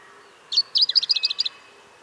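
A pink robin gives a brief, high twittering phrase: one opening note, then about nine quick, sharp notes slipping slightly downward, all within a second.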